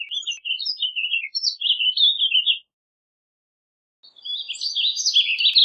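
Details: Rapid rambling warble from a warbling vireo, choppy slurred notes rising and falling for about two and a half seconds, then after a pause another higher, denser warbled phrase.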